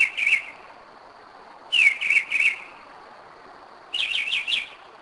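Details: In Kennesaw, Georgia, at 2am in 2011, a Northern mockingbird sings clipped whistled notes in threes, then a higher buzzy trill of four quick notes. A faint constant high tone plays behind the song.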